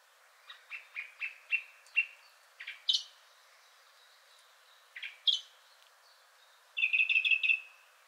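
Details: Song Thrush song from a third male, richer in character, with some sounds resembling a nightingale: short clear notes repeated five or six times, a few higher sharp notes, then a fast twittering trill.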